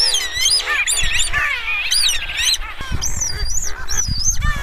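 Streaked shearwaters give squeaky, wavering wails that rise and fall and overlap as several birds call at once, over a low rumble of wind.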